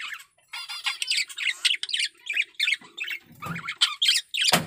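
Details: In strong breeding heat, a male budgerigar chatters steadily in buzzy, grating syllables and squeaks, ending on a sharp harsh note.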